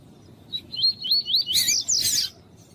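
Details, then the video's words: Double-collared seedeater song, presented with a female calling to warm up a male. A quick run of high, wavy, slurred whistles leads into a dense, harsh buzzy twitter, then stops, over a quiet background. "ESQUENTA COLEIRO TUÍ-TUÍ COM COLEIRO TUÍ-TUÍ E FÊMEA CHAMANDO"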